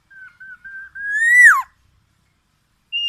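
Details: Black-naped oriole: a fluty, wavering whistle climbs gradually, then swoops sharply downward. After a pause a higher whistled note begins.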